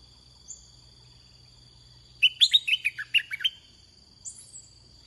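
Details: Red-whiskered bulbul, used as a decoy to draw in wild birds, gives one lively phrase of about eight quick, liquid chirping notes. A thin high whistle sounds before and after it, and a steady high tone hums in the background.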